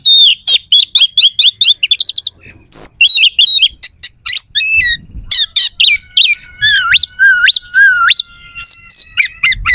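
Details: Loud oriental magpie-robin song packed with harsh, sharp fill notes, used to make rival magpie-robins angry and ready to fight: a rapid string of clipped chips, then rising upslurred whistles repeated about three times, followed by scratchy notes.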